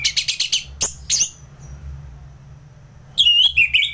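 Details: Orange-headed thrush, ngeplong song style, recorded in Singaraja, North Bali, Indonesia, for training contest birds: a rapid series of sharp chirps, a pause, then twisting whistled phrases that rise and fall. Faint background hum.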